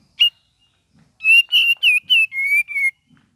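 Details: Cream-vented bulbul singing in full voice: a single sharp note, a pause, then a run of six clear whistled notes, some slurred or dipping, the last ones drawn out and slightly falling.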